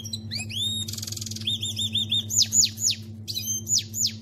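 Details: A canary delivers goldfinch-like song, mixing rising whistles, a buzzy rattle, rapid looping notes and quick falling sweeps in bursts, with a constant low droning hum behind.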